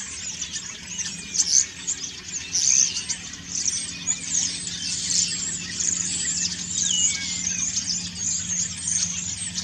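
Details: Common starlings singing in autumn while preening, a long stream of high crackling chatter and squeaks with several slurred whistles, one dipping then rising near the end.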